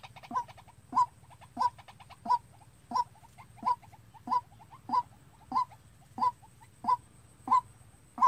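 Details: Captive white-breasted waterhen kept as a trapping decoy calls on its own: a string of about thirteen sharp, identical mid-pitched notes at an even brisk pace, with softer ticking between them and a low hum.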